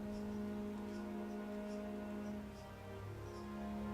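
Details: Steady, sustained background music plays throughout, with no animal calls heard.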